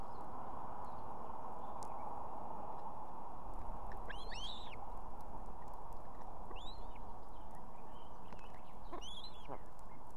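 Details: Osprey female with two chicks on a nest in Estonia at evening, calling the male to bring fish: three thin whistled, arched chirps spaced two to three seconds apart, rather faint against strong low noise.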